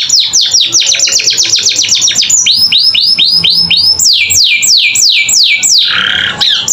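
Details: Young captive canaries' learning recording: a fast run of descending whistles, looping upslurred notes, then slow, wide downward sweeps and a closing rasp.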